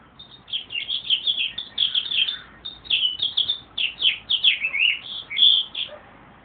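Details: A meadowlark pours out a steady stream of clear, tumbling whistled notes in connected phrases for about six seconds against a quiet background.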